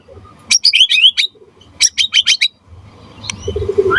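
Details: White-rumped shama in full gacor voice, meant to prompt other shamas to answer: two quick bursts of sharp, high chirping notes, then quieter background noise with a faint whistle at the end.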